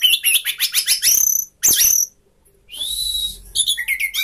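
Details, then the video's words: High rapid stuttering notes open this 'sapu jagat' song from a caged orange-headed thrush spreading its tail, followed by a sweeping buzzy note, a held whistle, and quick descending chips. "anis merah sapu jagat, buka ekor"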